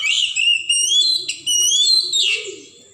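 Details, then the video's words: Wild Oriental magpie-robin from the forest singing a rich run of clear, sliding whistled phrases, high and bright, with slurred notes rising and falling over three seconds before fading at the end. "suara asli kacer hutan"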